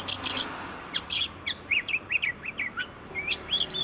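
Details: Oriental magpie-robin, known in Indonesia as kacer, gives harsh buzzy bursts followed by a string of short whistled chirps and slurred notes, each note brief and spaced by small gaps.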